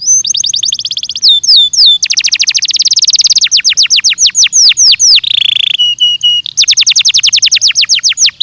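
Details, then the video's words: Belgian canary on a training recording, singing a continuous fast song of rapid chip trills, looping downslurs, a buzzy roll and flat whistles, with the tempo and phrase type changing every second or two. "ESPETACULAR canário belga,,! 30 MINUTOS DE TREINAMENTO DE BELGIUM CANARY VOCÊ VAI CANTAR MUITO"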